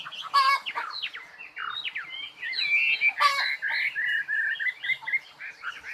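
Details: Varied bird warbling of chirps and slurred whistles, broken twice by loud harsh rasping bursts.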